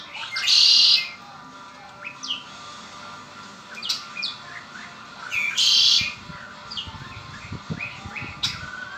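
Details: Pet red-winged blackbird delivering two harsh buzzy trills about five seconds apart, each lasting under half a second, with soft chirps and short slurred notes filling the gaps.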